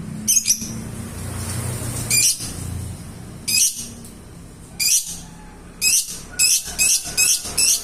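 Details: Lovebird in ngekek song gives sharp, high trilled bursts. They are spaced at first, then come faster, five bursts in the final two seconds, over a low background rumble.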